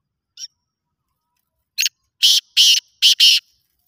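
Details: Black francolin (kala teetar) in a voice competition, giving its chakri call: one faint note, then a loud burst of four harsh, grating, broadband notes in quick succession near the end. The background is quiet.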